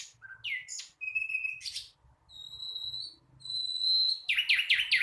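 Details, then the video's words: Young flycatcher still learning to sing, mixing sliding chirps with long, pure, level whistles held for about a second each, closing with a rapid run of buzzy notes. "Sikatan londo masih belajar bunyi...!!!"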